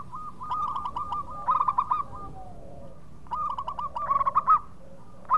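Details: Local zebra dove, called perkutut in Indonesia, singing loud and clear as a lure for birds in breeding mood; rhythmic bursts of rapid, ringing mid-pitched coos, two phrases with a pause between them.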